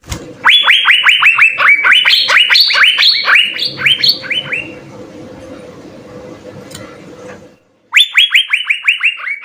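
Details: Asian fairy-bluebird singing hard, recorded as a master for tutoring songbirds: dense bursts of rapid rising whistles, some pitched higher, about two per second, a quiet gap, then another rapid whistled series.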